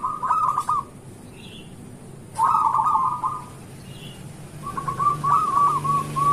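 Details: Morning song of local zebra doves, played as a lure for reluctant birds: three bursts of fast, clipped cooing notes separated by pauses, with faint high chirps from another bird in between.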